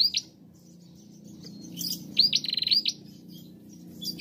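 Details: Singing female bar-winged prinia, meant to coax other prinias to sing: a brief note, then a fast sequence of shrill upslurred notes and a buzzing rattle midway, over low steady background noise.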